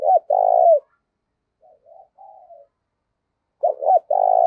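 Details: Spotted dove calling vigorously to provoke fighting, used as a decoy to lure other doves: low, rolling coos in short bursts, a quieter wavering phrase in the middle, then another loud pair of coos.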